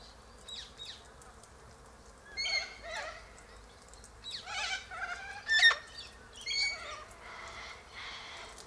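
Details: Sulphur-crested cockatoos gathered in a group, eating seeds from pods high in a silky oak tree; harsh, grating squawks come in irregular bursts roughly once a second, rising and falling in loudness, with quieter chatter between.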